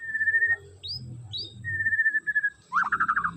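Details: White-rumped shama song: a long, level whistled note, then two short rising upslurs and another sustained whistle. It closes with a fast run of rich warbled notes over a low droning background hum.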